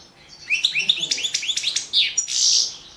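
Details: Balkan European goldfinch (Carduelis carduelis balcanica), a competition recording from the 2017 Goldfinch Song World Championship, sings a rapid, bright string of rising twittering notes and liquid trills, ending in a buzzy, drawn-out wheeze.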